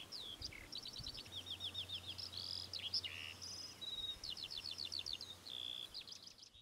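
Temminck's stint gives high, rapid trilled notes in quick runs, repeated almost without pause for several seconds over a faint low hum.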